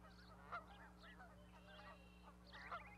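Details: Goose on an osprey nest platform in Charlo, Montana with newly hatched goslings, May 12, 2020; two nasal honks two seconds apart, with soft bird chirps between and a low steady hum.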